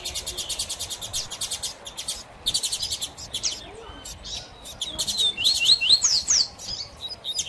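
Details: Several seedeater males (Tui Tui, Sil Sil, Mateiro) in a singing dispute over a female, with rapid bursts of high, buzzy trills and sharp whistled notes, phrases overlapping in quick succession.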